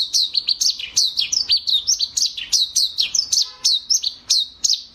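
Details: Eurasian tree sparrow giving a continuous run of sharp, high chirps, each dipping slightly in pitch, repeated about three times a second with little background sound.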